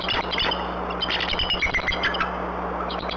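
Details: Adult female Bald Eagle back at the nest before dawn, giving warning calls against an owl harassing the nestlings, the male joining in: dense high chittering and piping whistled notes, some slightly falling, overlapping almost continuously above a low electrical hum.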